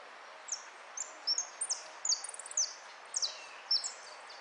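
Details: Goldfinch in a 'repique' singing contest held at Piran, dated 03 02 13, 'amarillo' category: rapid, very high twittering notes with quick downward slurs and tight clusters of chips, delivered in uneven bursts over faint background noise.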